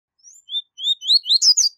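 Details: Crisp tui tui zel zel phrase by a double-collared seedeater, a high-level song for tutoring young birds. A soft high whistle leads into slurred, rising notes, then a loud, ringing, buzzy chatter. Nothing else is audible.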